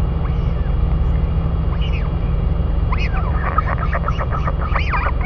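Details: Royal albatrosses in New Zealand, father and mother feeding the chick; arched whistle-like notes build into a quick run of chirps in the last two seconds, under strong low-pitched wind.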